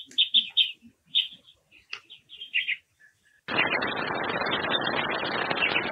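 Japanese waxwing giving high, thin trilled notes in quick bursts for about three seconds, then a loud steady rush of noise drowns everything out.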